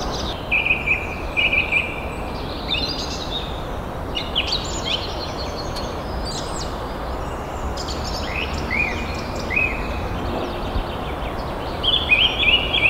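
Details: Crested serpent eagle calling in the open: bursts of brief whistled notes repeated in short runs at the start, middle and end, with higher slurred notes between, all over constant broadband outdoor noise.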